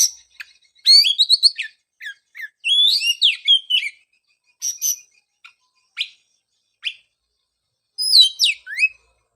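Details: Bright whistled Oriental magpie-robin song, played to encourage a bird that went quiet after moulting: fast warbling runs and sliding notes in bursts, separated by short gaps and isolated sharp chips.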